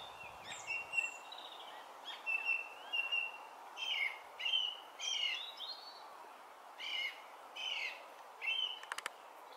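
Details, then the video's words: A Song Thrush singing in Brighton during June 2020, repeating short bright whistled motifs in pairs and triplets with brief pauses, separate phrases spaced across the recording over faint constant hiss. "Song Thrush (Turdus philomelos)"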